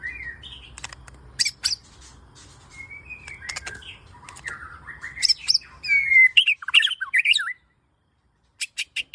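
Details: Lure song of a murai batu, or white-rumped shama, used to coax kept birds into singing: a quick, varied mix of whistled slurs, sharp clicks and harsh notes, ending in a few crisp staccato pulses after a short pause.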